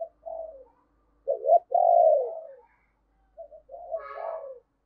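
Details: Decoy spotted dove cooing in the morning to call in wild doves: short soft lead-in note, then a broken double note and a long rolling coo, repeated once more after a pause.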